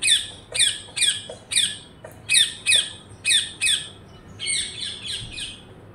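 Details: Parrot calling with loud, rasping screeches delivered singly or in pairs, about nine harsh squawks spaced unevenly, ending in a quieter run of hoarse, chattering notes.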